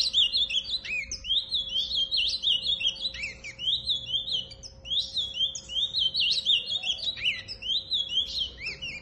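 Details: Ultramarine grosbeak singing a long, nearly continuous stream of fast, high, sliding warbled notes, with a steady low electrical hum in the background.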